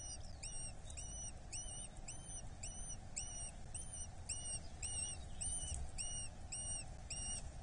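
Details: Eurasian hobby, chick being fed at a nest in Dorset, 8 July 2024: steady series of thin, high, arched squeals repeated roughly twice a second over a constant low rumble of background noise.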